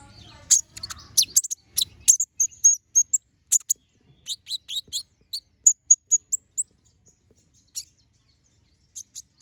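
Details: Balding olive-backed sunbird, a young bird growing new feathers, singing energetically: rapid, high, sharp chirps and twitters that come in quick bursts, thinning into scattered single high notes separated by silence toward the end.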